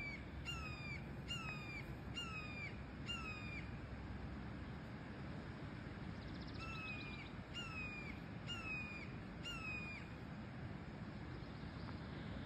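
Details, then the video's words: Young red-tailed hawks calling at Sugar Beach in Leo, Indiana: rasping, descending screams given in quick runs of four or five, a pause, then another run, with constant low-pitched background noise. "Baby red tail hawks making bird sounds"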